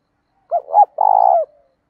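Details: Spotted dove cooing in the đồng style with a touch of thổ, used to stimulate and train caged doves: two short hooted notes, then a longer rolling, vibrating coo that falls at the end. Quiet background.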